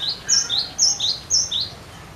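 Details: Close, loud cinereous tit song meant to draw other birds into singing: a steady series of high, clear two-part whistles, each bright note followed by a lower slurred one, about four pairs in quick succession.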